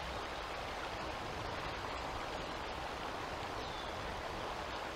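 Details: Constant rushing noise like a stream or wind at an outdoor nest, with no animal voice standing out.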